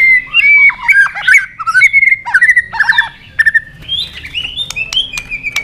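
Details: White-rumped shama in competition singing, flicking its tail and hopping on its perch, delivering a long wild-style song of rapid warbled whistles, chattering notes and sharp clicks, ending in high sustained whistles.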